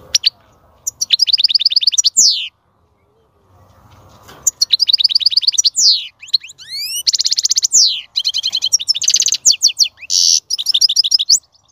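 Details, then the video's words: European goldfinch song meant to stimulate a female to mate and breed: loud, high twittering phrases of rapid repeated notes, buzzy trills and sweeping whistles in bursts, with a two-second pause near the middle. "أعظم تغريد لتحفيز أنثى الحسون على التزاوج والإنتاج"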